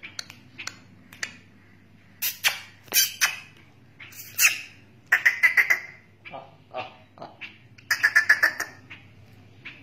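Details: Black francolin, known locally as kala teetar, giving harsh squawking calls in irregular bursts. Rapid series of grating, buzzy notes stand out around the middle and near the end, over a steady low hum.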